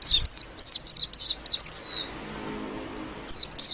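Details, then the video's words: Warbling white-eye singing a fast chatter of high, sharply slurred chirps, about eight in quick succession, then a pause with faint thin whistles before two more bright notes. "tiếng chim vành khuyên hót líu lo"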